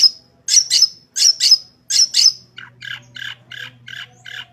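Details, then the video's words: Long-tailed shrike singing vigorously, used as a training recording to get other shrikes singing: two harsh, high paired notes repeated three times, then a run of six lower, raspy notes at a steady pace. "Burung Cendet Gacor full isian suara paling jernih"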